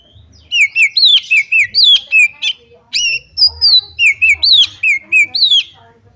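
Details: Female white-rumped shama call used to provoke other shamas to sing: a long steady run of loud, clear whistled notes, mostly short and level with some falling slides, given about three per second.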